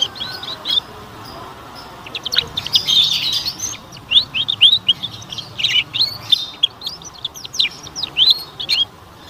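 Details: Canary song used as a lure to prompt young canaries to sing: a long run of bright, high chirps and quick slurred notes, rising to a busier burst early on, then steady twittering phrases to the end.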